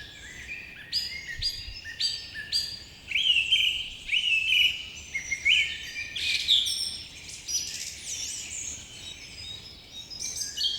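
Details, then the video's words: Birds chirp busily at dawn, one voice repeating short bright notes and trills in rapid runs over a dense background of high twittering. "Birds chirping sound effect"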